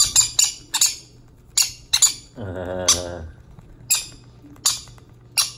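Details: Baby green-cheeked conures begging while being hand-fed: sharp, scratchy squeaks given in quick bursts of two or three, repeated through the clip, with a short spoken human phrase in the middle.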